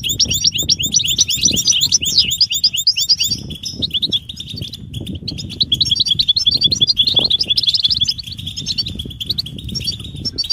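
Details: European goldfinch mating and readiness calls, a twittering style locally called 'batbata', used to stir silent males into singing; dense high metallic chirps and trills run almost nonstop, with a brief lull near four seconds and low background rumble.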